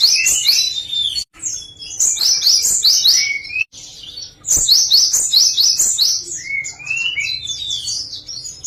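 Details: Java sparrow in varied song, loud and close: rapid bubbling high chirps in repeated clusters, briefly broken by gaps, ending with a few lower rising whistled slurs.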